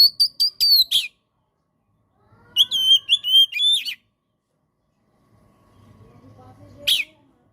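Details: Oriental magpie-robin (kacer) in energetic gacor singing, used as masteran and pancingan for kacer that have stopped singing: clear whistled notes with harmonics, repeated in quick bursts, a pause, then a rising and falling whistled phrase and a harsh note.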